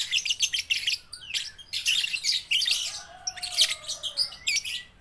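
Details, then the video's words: Lovebird babies and juveniles (balibu) used as a lure to make lazy lovebirds sing. Bursts of high, scratchy twittering broken by short gaps, with a drawn-out lower whistle gliding slightly downward in the second half. "pancingan lovebird balibu - Lovebird paud belajar bunyi"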